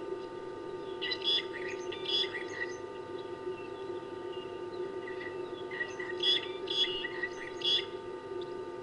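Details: Fork-tailed drongos singing at 17:20 on 17 June 2019 in two bursts of harsh, metallic, twangy notes mixed with sharp chips, over a steady low mechanical hum.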